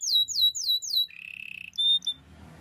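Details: Canary singing for training: four loud downslurred whistles, then a level buzzing roll and a few brief high notes, in a quiet room.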